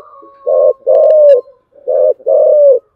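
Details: Spotted dove giving 'giọng thổ chiêu gù' cooing. Two loud paired phrases of deep, mellow coos, each a short note followed by a longer drawn-out one, over a faint steady tone.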